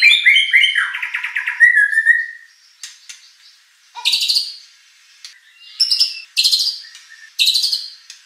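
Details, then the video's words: Contest white-rumped shama singing to stir a rival into response: an opening run of fast whistled trills, then separated harsh, scratchy bursts and short chirps with gaps between. "shama bird beautiful song performance"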